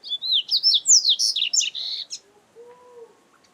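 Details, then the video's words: Double-collared seedeater song recorded live in nature: a loud, rapid run of varied high whistled and slurred notes, rising and falling, then a brief pause and a soft, lower steady tone near the end. "Canto Para Esquentar Coleiro"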